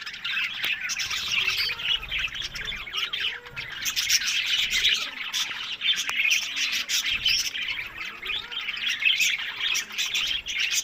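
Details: Budgerigars kept as breeding pets in Larkana, Sindh. A flock keeps up a steady, busy warble of chirps, squeaks and rapid twitters. Faint clicks occur now and then beneath the chatter.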